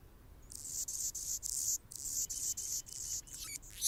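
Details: Singing on a branch in Golden Gate Park, San Francisco, California, an Anna's hummingbird delivers a continuous series of high, scratchy, buzzing phrases with brief breaks, finishing in sharp squeaky notes.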